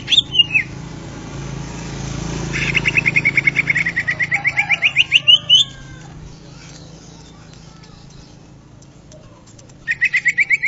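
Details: Greater green leafbird (Chloropsis sonnerati), a species kept for local and national singing contests and known for varied song: fast runs of short rising notes repeated rapidly for about three seconds, then a brief burst again at the end, over low hum.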